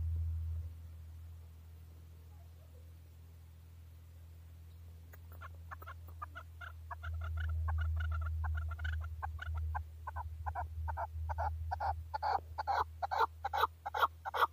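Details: A male chukar partridge calling in Tajikistan in 2020: clucking chuk notes repeated about two and a half times a second, building louder and faster after a quiet start, over a steady low hum.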